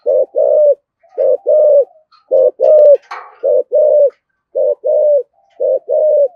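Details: Spotted dove calling the flock, used as a lure; steady series of low mellow coos grouped in pairs, a short note then a longer one, repeating roughly every second, with a brief rustle midway.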